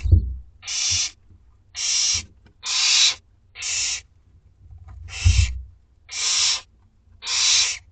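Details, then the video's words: Two-week-old barn owlets beg at dinner time in a school garden, giving seven even, breathy rasping screeches about once a second, with occasional low bumps. "Dinner time for 2 week-old Barn Owlets!"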